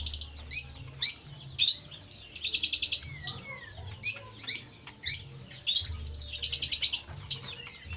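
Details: Jentet bird singing phrases of sharp, high chirps mixed with buzzy trills and a slurred whistle, in loose bursts, over a low hum.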